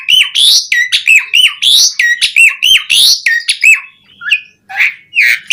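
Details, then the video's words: Asian pied starling (jalak suren) in full 'gacor' song packed with varied 'isian' phrases, used to prompt other starlings to sing: loud rapid run of harsh, buzzy notes and whistled slurs, some rising and falling, ending in scattered chirps. "Suara Jalak Suren Gacor Auto Bongkar Isian Variasi Buat Pancingan Burung Jalak Agar Gacor Full Isian"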